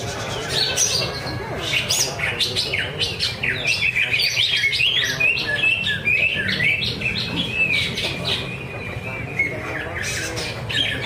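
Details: Contest-entered greater green leafbird at a practice singing event at Danau Bumi Restu in Cikunir, Indonesia, delivering a long varied stream of rapid chirps, trills and sliding whistles, other birds and crowd noise underneath.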